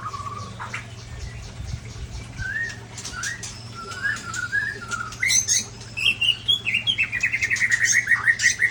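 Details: Large-bodied white-rumped shama from Ujong Pancu, Aceh: scattered whistled notes and clicks build into a fast series of repeated bright chirps at the end, with a low steady hum behind.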